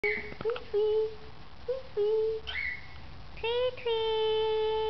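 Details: A baby cockatiel about 5 weeks old, hand-fed at dinner, gives nasal, machine-like droning notes in short repeated bursts while begging, a sound it makes on seeing its favourite spoon at mealtime.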